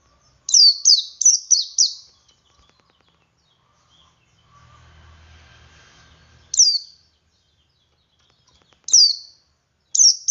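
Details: Male Oriental white-eye singing ngalas to provoke other white-eyes to join in: a fast run of five high, down-slurred notes, then a quiet spell with a faint low rumble, followed by single sharp falling notes.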